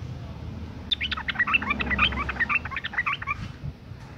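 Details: Sooty-headed bulbul female in breeding condition, calling for males, used as a lure to get them singing: a quick run of scratchy, chattering chirps about two per second, recorded with a steady low rumble underneath.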